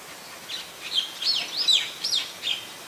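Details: Streak-eared bulbul, a common resident, recorded 29 February 2020 in Ubon Ratchathani, Thailand: a quick string of bright chirping notes, some sweeping up and down, five or six in under three seconds over a quiet background.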